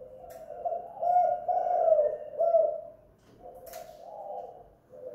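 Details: Spotted dove (tekukur, derkuku) kept at home, calling actively in the kuk or guk gantung style used for luring. Soft hooting coos run together into a two-second phrase, a pause, then further low cooing.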